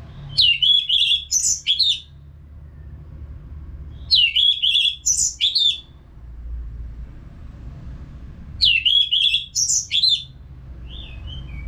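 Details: Caged Orange-headed thrush in Singaraja, North Bali, singing continuously as a therapy sound to prompt other birds to sing: three bursts of loud whistled and sharply slurred notes, each about a second long, separated by pauses, with low background rumble.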